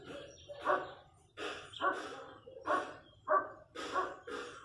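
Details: Chachalacas in the countryside giving loud, hoarse, clucking-raspy calls about every half second to second, each note broad and throaty with ringing overtones.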